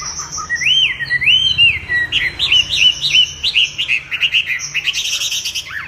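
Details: Chinese hwamei singing a loud, varied song of clear whistled phrases, rising and falling slurs repeated in quick runs, then rapid chattering trills high in pitch.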